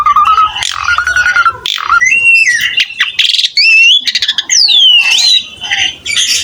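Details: Asian pied starling delivering lively gacor song for a tutor recording: varied clear whistles, some level, some sliding steeply up or down, interwoven with raspy squawks and rapid clicking bursts.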